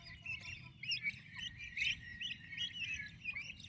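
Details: Young turkey chicks with the mother hen, healthy and active: overlapping shrill peeping notes, some sliding upward, forming a near-continuous chirping chorus with steady low background hum.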